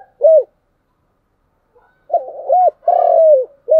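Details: Spotted dove cooing in the chiêu and thúc song styles: clear, low, hollow coos, each bending up then down, one short note, then a pause and a run of three more coos, the middle one longer and drawn out.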